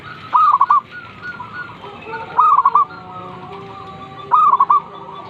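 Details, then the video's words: Three zebra dove phrases about two seconds apart, each a rising held coo followed by quick rolling notes; fainter doves coo beneath, heard in the morning. "suara burung perkutut gacor | zebra dove still calling every morning"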